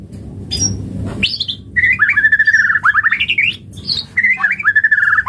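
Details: White-rumped shama song used as a lure to get other shamas singing: rich varied phrases, a rising whistled note, then long buzzy warbled trills and swooping notes, with low background hum.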